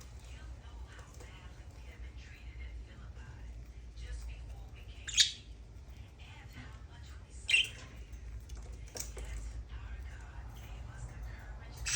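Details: A budgerigar playing at home gives two sharp, high chirps over soft scratchy chatter and a low indoor hum.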